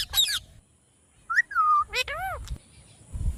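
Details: Pet parrot producing voice-like sounds: a harsh burst, a smooth falling whistle, then rich harmonic arched notes resembling speech, separated by short silences.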